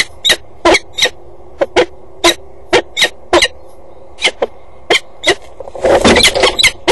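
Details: Peregrine falcons at a water-tower nest box in Axel on the morning of 8 April 2012: one sits on the grille, its mate joins but stays outside, then the male flies off. Rapid series of harsh, grating calls ends in a burst of rustling noise.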